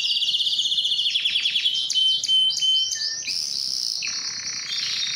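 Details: Canary song meant to arouse females for breeding: a quick run of descending chirps, then brief clear whistles and a sharp high note, closing with a dense, buzzy roll.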